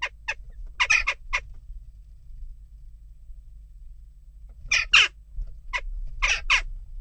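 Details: Western jackdaw calls during unrest at a nest box: a quick cluster of sharp, grating chak notes, a long pause, then a second scattered group of louder harsh calls, over a soft low background hum.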